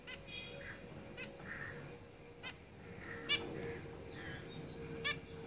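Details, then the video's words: Caged zebra finches call with a few spaced, nasal, harmonic beeps and soft mewing notes in between, over a steady low hum. "Zebra Finches Singing in the cage"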